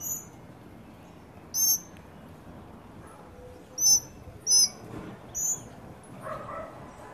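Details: Tropical mockingbird family feeding together at a birdfeeder in Trinidad, young birds present, on a sunny day. Short, thin, high chirps come in irregular bursts, five or so over seven seconds, some doubled, over a soft background hiss.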